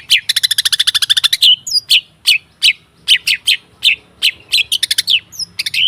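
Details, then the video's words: Long-tailed shrike song played as a training recording to prompt other birds to sing: an opening rapid stuttering rattle, then loud sharp chip notes repeated irregularly, some with thin whistled slurs between. "Suara TERAPI pancingan cendet /pentet macet total"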